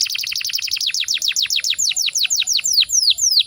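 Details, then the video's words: Caged canary singing at high volume with a dominant, clear rolling trill, the style kept for competition and daily tutoring: a fast run of repeated descending whistled sweeps, slowing slightly toward the end, about three to four notes per second later on. "Kicauan bervolume tinggi dengan kerolan yang dominan dan jelas."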